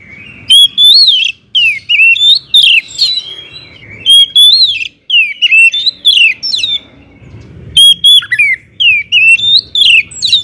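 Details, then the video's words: Loud kacer (Oriental magpie-robin) song to rouse other birds: bright repeated whistled phrases with downward sweeps and chattering notes, recurring in regular bursts with brief gaps. "kacer gacor ngeplong SUARA KERAS BIKIN KACER Lain NAIK EMOSI,, PANCINGAN KACER AGAR RAJIN BUNYI"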